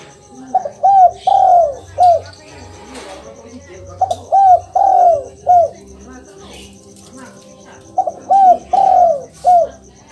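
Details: Spotted dove cooing, played to make a quiet caged dove answer: three phrases of four low hollow coos, the third note long and throbbing, roughly every four seconds, among chirps from other birds and a steady high ticking.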